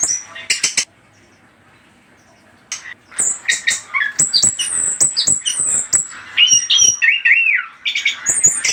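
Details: Anis kembang song used as a lure, bursts of high chirps and squawks with slurred whistled notes, brief pause early on, dense varied phrases.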